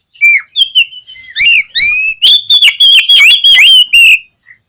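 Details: Fast-responding Oriental magpie-robin lure song, played to spur other magpie-robins into full song: a downslurred whistle opens a long, dense string of loud ringing notes repeated about three times a second.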